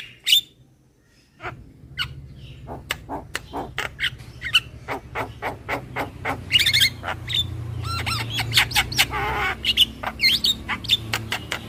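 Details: Javan myna lure call, super kenyih style: after a brief silence, steady harsh clicks and squawks build into raspy chattering and thin high whistles over a constant low humming background.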